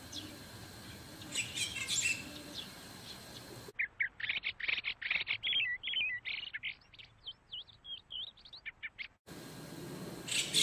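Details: White-cheeked starling giving a rapid run of clear, high chirps and short whistled notes, more than two per second, with quieter chirping before and after.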